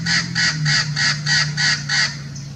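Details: Hybrid Amazon parrot, Blue-fronted crossed with Red-crowned, at Irvine Regional Park, California, on a winter day, 9 January 2018: eight grating, screechy squawks repeated steadily about three times a second over a low background hum.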